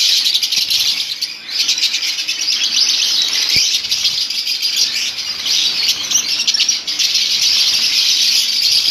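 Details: Many lovebirds in a colony call at once: a continuous, loud wall of high-pitched chirps and twittering squeaks that hardly pauses, with a single sharp click partway through.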